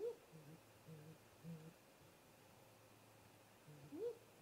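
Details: Great grey owls, a pair at the nest tree in late afternoon daylight, 18:58 MDT. A brief rising note, three soft low hoots, a quiet gap, then another hoot and a rising whoop.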